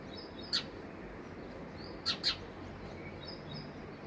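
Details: Single bright chirp from a house sparrow at its home, then a quick pair of chirps about one and a half seconds later, against constant low background noise and faint whistled notes.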